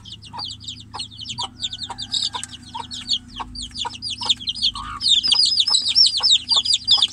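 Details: A chicken chick, caged apart with the mother hen outside, calls for its mother with loud, shrill peeps, about three or four a second, crowding together toward the end over a faint low hum.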